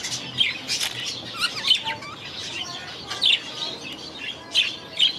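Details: Aviary budgerigars chirp and squeak in brief high bursts, a few soft lower whistles between, with short pulses of chatter recurring every second or so.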